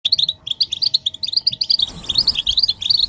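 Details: European goldfinches in a group chatter, described as mating and readiness calls meant to stir silent males into singing: dense, rapid high twittering notes and buzzy trills run without pause, with a low rumbling background appearing midway.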